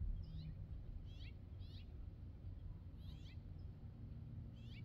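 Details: California scrub jay (Aphelocoma californica) perched on a wire gives short, harsh, downslurred rasps in small bursts about a second apart, over a steady low rumble of wind or traffic.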